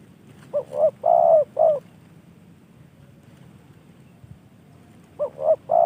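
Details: Spotted dove, a trained bird given by a fellow hobbyist, calls a hollow coo phrase: two brief notes, a long sustained coo, then a short note, with the phrase starting again near the end.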